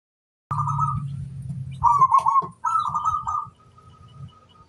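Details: Local-type zebra dove calling a rival: after silence, a warbling, trilled coo rises in bursts, then a stuttering run of short pulses and a fading trill, over a steady low hum.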